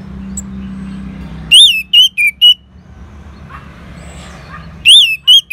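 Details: Orange-headed thrush answering a lure sound with two short groups of about four clear whistled notes each, separated by a quiet gap with faint low hum.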